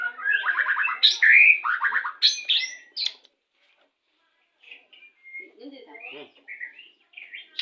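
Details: Pastol-type white-rumped shama song played during pairing to speed breeding condition: loud rattling trills and sharp whistled notes in the first three seconds, a pause, then softer scattered chirps and short whistles.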